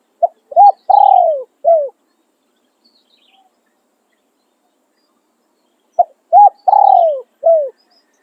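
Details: Spotted dove kept as a decoy for luring wild doves, cooing in the Thai 'khan riak' calling and 'khan yon' styles. Two low cooing phrases about five seconds apart, each a short coo, a coo, a long descending coo and a final coo, with silence between.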